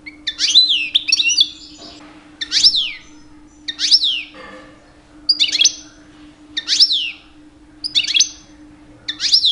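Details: Two-year-old male European goldfinch, captive pet, singing in mating season to attract females; short bursts of bright, sharp descending twittery notes repeated about every 1.3 seconds, with a steady low electrical hum behind.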